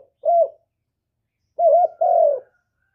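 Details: Spotted dove cooing, used to provoke other doves to answer: a single short hoarse coo, a pause, then a two-part phrase of a clipped note followed by a longer, falling, throaty hoot, all in a quiet setting.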